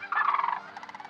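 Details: Sandhill crane arriving in October at wetlands in the Portland–Vancouver metro area gives a loud, rolling, rattling bugle that breaks into quicker, softer pulses, over faint steady background tones.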